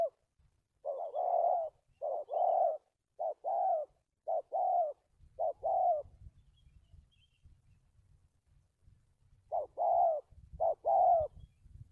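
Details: Spotted dove kept as a trapping decoy, dated 1/3/19, cooing in the stuttering style with two or three lead-in notes. Paired clipped notes are followed by longer coos in several series. A low rumble fills the middle pause.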